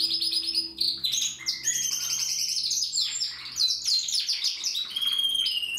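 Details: Dense, unbroken trilling from a young Timbrado canary born in 2020, still rehearsing its song, with rolling phrases mixed with brief, steadier whistled tones.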